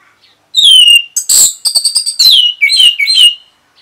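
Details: Orange-headed thrush singing in reply to a lure sound: a varied phrase of slurred whistles, harsh buzzy bursts and quick chattering notes, ending in several downward-sliding whistles.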